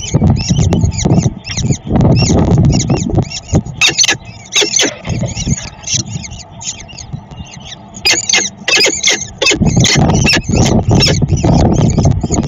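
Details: Peregrine falcon at the Dream Jump site in Szczecin, 22 April 2021, during feeding: rapid, thin, high-pitched calls with bursts near 4 and 8–10 seconds, over heavy low rumbling noise and thumps throughout.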